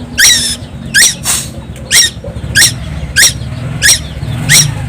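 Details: Young tuwu bird from Timor Island, Indonesia, vocalising nonstop: harsh, scratchy notes with a squeaky rising top, given roughly every second, over a steady low hum.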